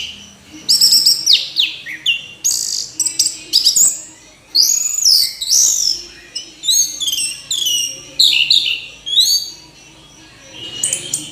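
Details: Orange-headed thrush singing in phrases of varied whistles, trills and sharp notes, mostly high-pitched, with short gaps between bursts.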